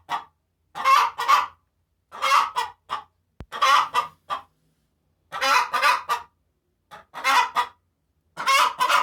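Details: Domestic hen's post-laying cackle, rough loud clucks clustered in bursts of three or four, repeated with short silences between them.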